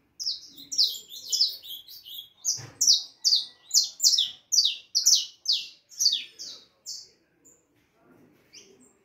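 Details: Harlequin saffron finch youngster aged four and a half months singing steadily: a long series of bright, descending chip notes roughly every half second, slightly accelerating, with faint low room noise.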